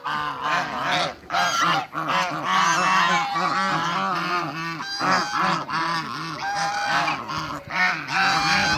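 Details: Farm flock of African geese meeting Muscovy ducks, honking loudly and continuously in a dense overlapping chorus of nasal, arching calls with only brief pauses.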